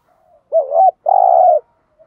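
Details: Decoy spotted dove used for training newly caught wild birds gives one two-part coo: a short wavering throaty note followed by a longer, steady, purring coo.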